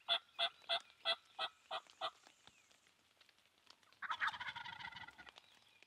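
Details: Two wild turkeys gobbling in the rain: a string of about eight evenly spaced, throaty notes over two seconds, then after a pause a loud, rapid, rattling gobble.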